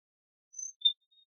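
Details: At a backyard feeder visited by chickadees, wrens, finches, cardinals, titmice and others, a small bird gives a thin, very high whistle, then a short lower pure note and a faint trailing peep, in quiet surroundings.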